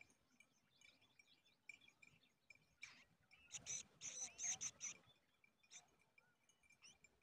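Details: Large woodshrike at a nest crowded with many chicks: a burst of harsh, hissing, high-pitched pulsed calls in quick succession midway, with faint scattered ticking notes before and after.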